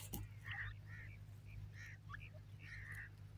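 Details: Grey francolin chicks, a group playing in Pakistani woodland, give soft, short mid-pitched chirps in scattered bursts over a steady low hum.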